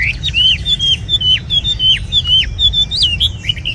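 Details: Caged tame red-whiskered bulbul singing clear, level, whistled notes with short upturned ends, repeated rapidly and unevenly for nearly four seconds.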